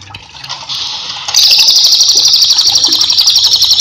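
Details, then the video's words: Cililin used as a master singer for cage birds, opening with faint chirps, then breaking into a loud continuous high buzzing trill that runs to the end. "cililin gacor cocok untuk masteran"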